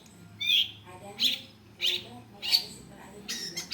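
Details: Long-tailed shrike voice used as a training model for other birds: four harsh, grating notes about two-thirds of a second apart, then a quick rattling burst at the end.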